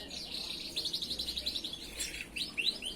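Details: Canary song used as a master recording for training other canaries: fast, evenly repeated high chirping notes forming a rolling trill, then a few sharper rising whistles near the end, over a faint low hum.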